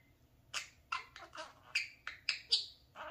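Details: Parakeet obsessed with its mirror, producing a handful of short scratchy chirps and squawks spaced irregularly over a few seconds.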